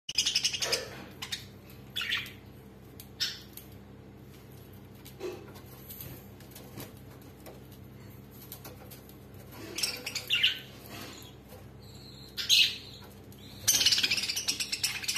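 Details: Budgerigars, a parent and its young, give harsh, scratchy chirps and squawks in short bursts during a squabble.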